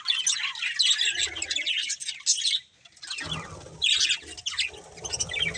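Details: Colourful budgerigar pair chirping: bursts of high, grating warble with a short silent gap, then chatter returns over soft low rustling.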